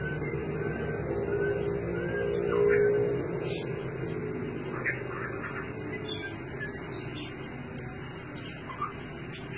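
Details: Decoy blue-crowned hanging parrot giving rapid series of sharp, high-pitched squeaky chirps, fairly evenly spaced, with a low droning hum underneath and a brief louder swell near the third second.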